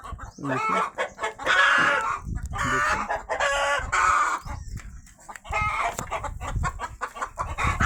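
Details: Domestic rooster calling loudly and continuously after a hen laid eggs. Harsh, harmonic squawking cries come in bursts, overlapped by a man talking over them throughout.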